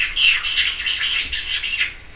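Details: Pet Timneh African grey parrot, female, kept indoors, giving a quick run of chirpy, buzzy notes that pulse in short bursts for about two seconds.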